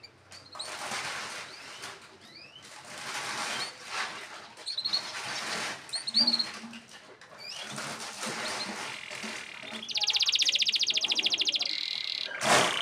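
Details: A Belgian canary sings a master song meant to coax young canaries into singing: high, scattered chirps and whistles, then a fast, buzzy rolling trill.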